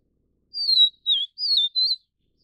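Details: A Vivid niltava, subspecies vivida endemic to Taiwan, feeding its chicks, gives one sweet four-note whistled phrase: a long falling note, a short dipping note, then two wavering whistles, with silence around them.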